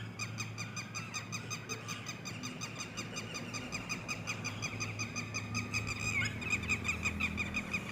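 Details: Red-wattled lapwing chicks give continuous high, thin peeping notes in quick succession, a couple of slurred whistles near the end, over a constant low background drone.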